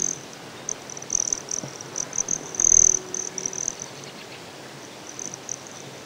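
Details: Broad-tailed Hummingbird at Great Sand Dunes, Colorado: a thin, high, metallic trill runs steadily throughout, with brighter chips and flares. A soft low thump of wind comes midway.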